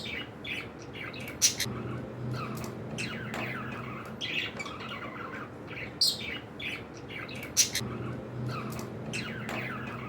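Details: Several pet cockatiels squawking indoors: grating, buzzy calls in irregular bursts, with sharp louder peaks about every one and a half to three seconds, over a constant low hum.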